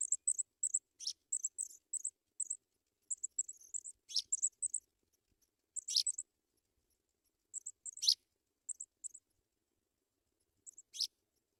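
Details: Baby African pipits in a nest receiving white butterflies; repeated high, thin squeaky notes in twos and threes, punctuated every few seconds by a sharper sweeping chirp, with quiet pauses between bouts.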